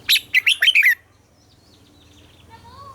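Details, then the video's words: Red-whiskered bulbul singing in the morning to train captive birds: one fast, bright phrase of five or six rolling whistled notes, then near silence with a low hum. "Luyện giọng cho chào mào hót sáng - ép chào mào hót âm kép già rừng hay tuyệt!"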